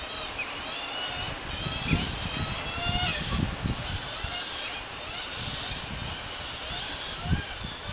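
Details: Pair of galah chicks being fed by their mother give harsh, wheezy, rapidly repeated begging squeals over a low background rumble like distant traffic.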